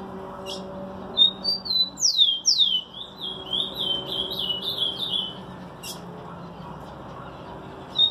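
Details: Rufous-collared sparrow song. A few thin whistles open it, then come loud descending slurred notes and a run of short, fast-repeated chips. Sharp clicks are heard before and after, over a constant low hum.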